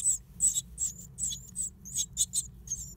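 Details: Great tit nest in an old stove, with a rapid series of piercing high squeaks and short whistled chirps, roughly three or four each second, clear over a quiet background.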